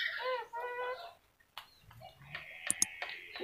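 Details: Yellow-crested cockatoo talking: a second of nasal, harmonic, speech-like syllables, a short silence, then scratchy rasps and sharp clicks to the end.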